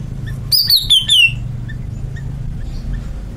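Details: A greater green leafbird sings a short descending run of whistled notes, sliding from high to lower pitch, followed by faint scattered chips over low background hum.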